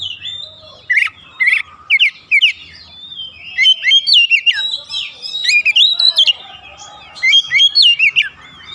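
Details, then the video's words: Oriental magpie-robin lure song, pancingan, to raise excitement: paired whistled downslurs repeated near the start, then a rich run of mixed rising whistles and chips with brief gaps, low rumble in the background. "PANCINGAN KACER NAIK EMOSI"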